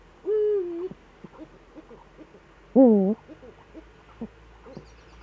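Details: Pair of Eurasian eagle-owls in the Eifel, 18:47 on 11 March 2013: a flat, long harmonic call, then about two seconds later a shorter wavering one, with faint knocking between and afterward.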